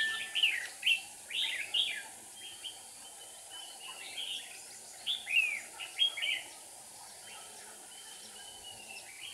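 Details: Red-whiskered bulbul singing as a trapping decoy to draw in wild birds, 7 April 2019: loud, clear warbled phrases of quick up-and-down slurred notes, delivered in clusters roughly every second, over faint steady hiss.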